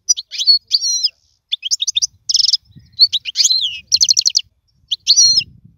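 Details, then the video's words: Song of a European goldfinch used to tutor young birds: clear slurred whistles, buzzy notes and quick repeated trills in short separated phrases, with faint low background noise. "اسمع المقنين واعطي رايك فيه,افضل تغريد لتعليم الفراخ"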